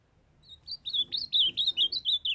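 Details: Ultramarine grosbeak, a young male, singing as his kept female calls to stimulate him: a bright, rapid phrase of slurred whistled notes, each swooping down, carried along for nearly two seconds and ending abruptly.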